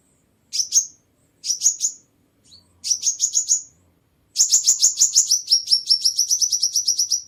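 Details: Sunbird lure song with no background noise: short groups of fast high chirps, then a long, rapid rattling trill of buzzy notes that gradually slows near the end.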